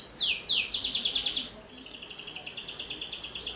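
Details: Lively canary song for coaxing young canaries: two swooping downslurred notes, a loud buzzy trill, then a softer, very fast even trill continuing to the end.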